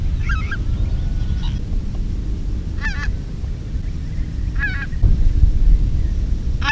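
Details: Recorded in 2016 during decoying, greater white-fronted geese give high, yelping, laughing calls in short quavering bursts about every one and a half seconds, over a steady low rumble of wind.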